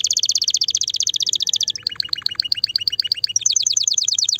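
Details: Canary song meant to stimulate a female for breeding: fast trilled phrases of repeated notes, a high rapid trill giving way to lower sweeping rolled notes, then a quick high trill again.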